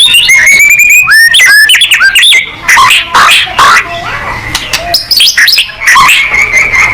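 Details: Loud, varied song of a white-rumped shama, used to provoke singing: rapid bright whistles and slurred notes, dense clicking phrases and repeated sharp chips, almost without pause.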